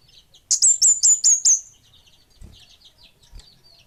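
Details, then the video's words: Kemade Bunga Api giving five loud, piercing high notes in quick even succession, each a short slurred whistle, followed by faint high twittering and a couple of soft low thumps. "Suara Burung Kemade Bunga Api"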